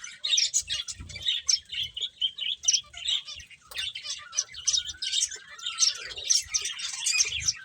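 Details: Several finches chirp while eating, a dense, continuous chatter of short high tweets and brief trills overlapping throughout, with soft low knocks underneath.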